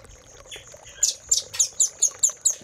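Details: Velvet-fronted nuthatch master song for caged-bird training: after a quiet start, a run of loud high piercing chips repeated about four times per second.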